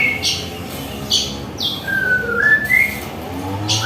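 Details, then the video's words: White-rumped shama at home in the morning, used as training song: a few clear whistled notes gliding and rising, interspersed with brief high bursts, against strong steady background noise. "Masteran suara burung murai"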